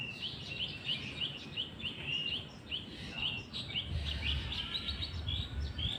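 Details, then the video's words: White-rumped shama singing in the afternoon, a rapid, continuous stream of high chirps and twittering phrases, varied and unbroken for several seconds, over low background noise. "MURAI BATU bird singing in the afternoon"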